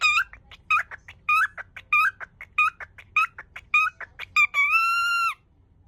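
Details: A flustered pet cockatiel repeats the Japanese welcome "yoku kita ne" over and over without completing the phrase. Brisk, evenly spaced bursts of squeaky syllables, about a dozen, close with a sustained drawn-out whistle-like note in a quiet room.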